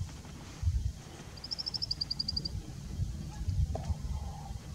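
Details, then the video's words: Indian bushlark singing from a rock, cocking its tail: a quick, even run of about a dozen thin, high notes over one second, under heavy low wind rumble. "Indian Bushlark singing"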